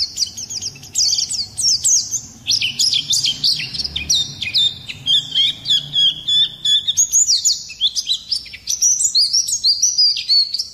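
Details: Oriental white-eye (pleci) in a harsh, rolling song used to provoke other songbirds; high twittering notes at about three per second, shifting later into lower sustained warbled phrases.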